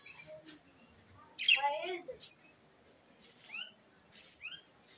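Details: Pet myna bird singing: a loud harsh squawk with buzzy noise, then short rising whistled notes spaced about a second apart, set against a quiet room background.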